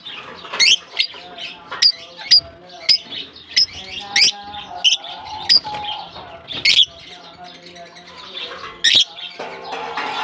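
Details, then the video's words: Lovebirds released into a colony aviary in Germany at the start of the summer season. They give sharp, shrill chirps and squawks in irregular bursts, about a dozen in ten seconds, while music plays underneath. "Japan lovebirds release in colony season off come to summer 🌞 off season bird good chirping sound"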